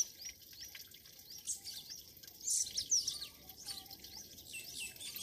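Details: A rural Pakistani morning with birds calling: rapid, high twittering and thin chirps overlap, peaking in a bright, sharp burst midway, with quiet background noise throughout.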